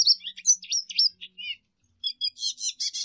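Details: Rapid high twittering song from a lesser goldfinch, full of jumbled chirps and slurred notes, a brief pause, then a renewed burst of buzzy chattering phrases.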